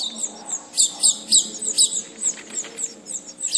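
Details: Captive-raised House finch chicks being fed beg with rapid, thin, high-pitched squeaky chirps, several each second, in eager surging bursts over a faint low hum.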